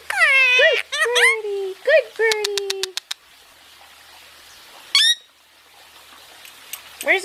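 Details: {'caption': 'Pet Indian ringneck parakeet basking and talking, giving a burst of nasal, speech-like syllables, then a row of sharp clicks, a quiet stretch and a final short high call.'}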